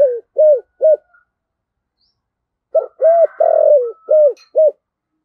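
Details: Spotted dove with a 'thổ sấm' style voice, meant to provoke rival cooing; three clipped hollow coos end one phrase, then after a pause a full phrase of short coos around a long trembling coo with faint background murmur.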